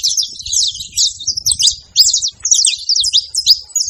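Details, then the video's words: Wild saffron finches singing in the open: short clusters of high, sharp, downslurred chirps separated by brief gaps, a jerky, chattering delivery over quiet low background sound. "a alegria dos canário da terra livre na natureza"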